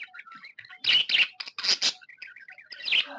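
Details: Pet budgie, described as happy, warbles softly with clicks and short whistles, broken by paired loud, harsh chirps and one last raspy chirp.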